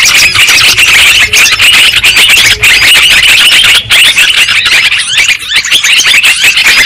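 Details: Lure recording of a noisy trucukan (yellow-vented bulbul) group, meant to trap birds that will not come down. Busy, unbroken twittering and harsh chattering chirps from several birds, steady and loud throughout, with brief dips.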